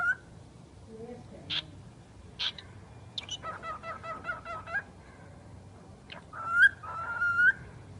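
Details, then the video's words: A talking bird mixes brief scratchy clicks, a low throaty syllable and a buzzy harmonic phrase, then ends with bright whistled notes that sweep upward and level off. "Chucky the talking bird"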